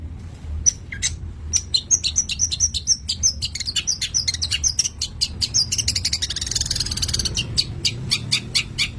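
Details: Long-tailed shrike (Lanius schach), locally called cendet or pentet, described as over birahi (in strong breeding condition), delivering a rapid run of sharp high chips and short whistled notes, repeated several times a second, with a steady low hum beneath.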